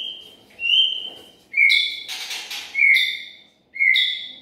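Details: White-rumped shama lure song of 2021: clear, sliding whistled notes repeated about once a second, with one loud harsh rasping burst in the middle.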